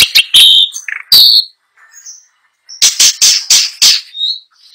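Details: Long-tailed shrike song with a rich repertoire of mimicked phrases, in a loud, continuous performance: whistled notes near the upper range, then a run of sharp, clicking broadband bursts in quick series.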